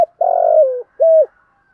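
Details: Decoy spotted dove luring wild birds, ending a phrase with a long burring coo that slips lower, followed after a short silence by one smooth rounded coo.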